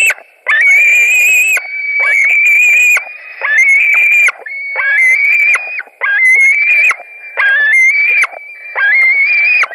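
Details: White-tailed eagles at a nest in Latvia on 17 July 2020 around 22:00, during a fish delivery as two adults arrive and one wins the fish: long, drawn-out, high whistled squeals with a slight rise, about seven in a row with short pauses.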